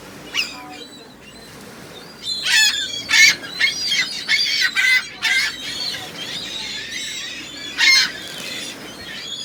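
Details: Gulls calling, with loud harsh bursts and squealing notes clustered in the middle of the stretch and again near the end, over quieter background.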